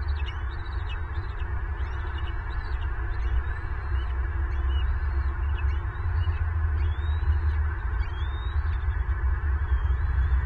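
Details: Southwest Florida bald eagle nest on 25 February 2023, an adult angrily turning on both chicks while feeding. A long run of high, thin chips and rising whistles sounds throughout, with loud low wind-like rumble underneath.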